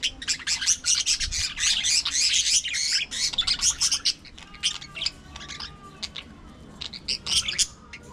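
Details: Budgerigars in an aviary colony give a dense, busy stream of high chirps and warbled twitters, with fast overlapping notes; a few thinner whistled tones slide in toward the end.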